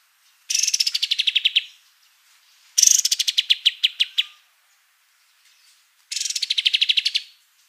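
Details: Kapas tembak white-eye in full song as a vocal teacher: three separate bursts of quick, high chattering notes, each trill about a second long, starting high and dropping slightly, with quiet gaps between.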